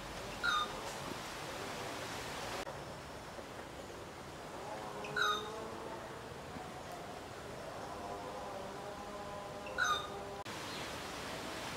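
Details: Rufous treepie calling: three sharp, ringing notes rich in overtones, spaced about every four to five seconds, with lower, drawn-out harmonic tones drifting between them over a quiet background.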